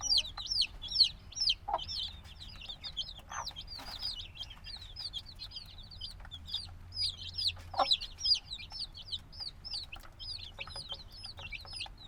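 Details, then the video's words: Black chicks only a few days old, still needing their mother's warmth, in a binaural field recording: a dense chorus of high, arched peeps overlapping continuously, many birds calling at once, with occasional soft lower knocks. "Baby Chicken Sounds - Baby Chicken Chirping Noises"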